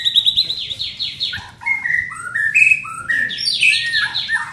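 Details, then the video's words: A young white-rumped shama in training sings a lively series of repeated descending slurred whistles, stepping through different pitches, finishing with a bright, tumbling flourish. "Melatih Mental Murai muda"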